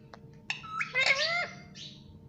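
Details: Pet Indian ringneck parakeet chirping indoors: a brief click, then a run of harsh, harmonic squawking notes rising and falling over about a second, ending with a faint higher squeal.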